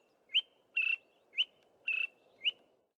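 Greater Honeyguide giving a clear two-part 'vic-tor' phrase: a sharp upslurred whistle, then a longer burry note, repeated about twice a second, over low background rumble.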